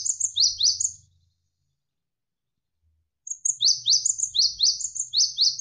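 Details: Tutor recording of a Javan sparrow, dense shot-like phrases: quick high down-slurred chips in a short burst, a silence of about two seconds, then a longer rapid series of sharp chirps over faint flowing water.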